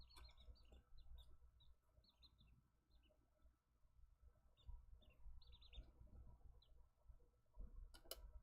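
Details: Button quail in an indoor cam setup (day 31, July 28, 2024) give soft, high, short peeps and chirps, scattered irregularly about twice a second, over a steady low room hum.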